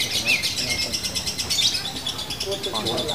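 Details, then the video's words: Female lovebird, fighter type, with a steady stream of very high, scratchy rapid chirps and a short rising squeak early on; music plays in the background. "Lovebird betina fighter ngunci!!! pitbull jedanya gak kalah ama burung konslet"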